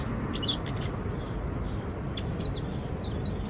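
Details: A creole criollo basto canary trilling. Bright, high whistled chirps are spaced irregularly, some held briefly and others quick downward flicks, with a soft low rumble beneath.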